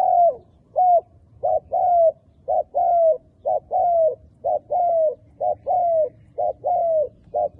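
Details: Caged decoy spotted dove cooing to attract wild doves for trapping, a close, clear series of short clipped notes alternating with longer slurred falling coos, repeated roughly every half second.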